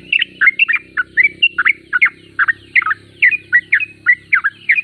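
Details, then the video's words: Sooty-headed bulbul (trucuk) described as gacor, a persistent singer: chattering run of short slurred whistles in tight groups, while a steady low hum and faint mechanical noise lie underneath. "Trucuk termewah suaranya paling di cari"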